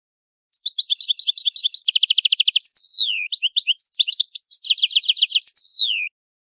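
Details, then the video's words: European goldfinch of Italian type delivering the old-style song: rapid buzzy trills and fast repeated rattling notes, long downward-sliding whistles, and twittering phrases in a continuous high, bright flow. "Il canto del cardellino italiano ,il vecchia canto"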